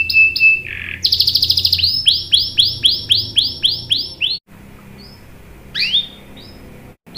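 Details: Canary song meant to prompt other canaries to answer: a steady whistle, a low warble, a fast trill, then a series of evenly spaced rising-falling chirps, ending in sparse short calls with quiet gaps.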